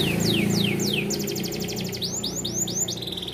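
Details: Small standard AF canary in bon colour, kept as a tutor for young canaries, gives a few sliding downward whistles, a fast buzzing trill, then a series of rising and falling looped notes.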